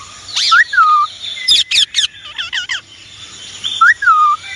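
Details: Indian ringneck parrot vocalizing: a falling whistled note, then a burst of sharp, harsh rising squawks, more squawks, and another descending whistle near the end.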